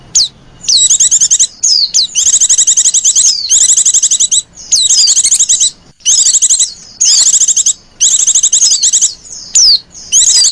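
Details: Coaxing female white-eye lure call, used to attract other white-eyes. Long, almost continuous series of high, rapid buzzy trills are broken by brief pauses and punctuated by sharp descending whistles, over about ten seconds.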